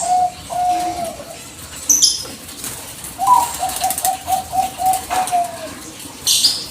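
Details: Bangkok zebra dove lure meant to draw a reply: a short coo phrase, a pause with rustling and a brief high squeak, then a rapid beaded series of about nine soft low coos.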